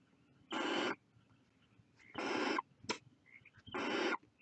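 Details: Three broad, rasping snore-like hisses from barn owl chicks at the nest, with a sharp click between the second and third.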